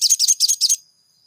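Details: Crimson sunbird lure song for caged birds: four quick bursts of high, buzzy, squeaky chirping in under a second, then a fading thin whistle.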